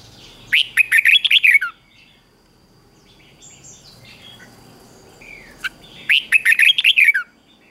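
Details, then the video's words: Red-whiskered bulbul morning song for training bulbuls to sing well. Two quick chattering, warbled phrases sit about five seconds apart, with scattered faint chirps, a soft hiss and a high electronic tone in the gap. "Luyện cho chào mào hót sáng | Luyện giọng chào mào hót hay kích chào mào yếu lửa ra âm"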